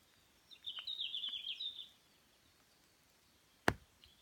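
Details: Red-flanked bluetail singing at Shinshu University nature education garden, Shiga Kogen, Nagano, Japan, on 1 June 2017. One quick, bright warbled phrase of high, slightly wavering notes lasts about a second and a half, followed later by a single sharp click.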